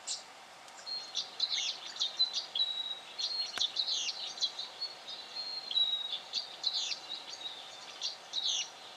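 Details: Black honeyeater in Victoria, Australia, October 2011: thin, level high whistles repeated among dense bursts of scratchy, rapid chattering notes, with steady background hiss throughout.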